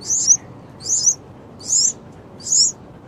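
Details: Six-day-old yellow-vented bulbul nestlings: thin, very high, slurred squeaks, each a brief rising-falling note, repeated about every seven-tenths of a second over a steady background hiss.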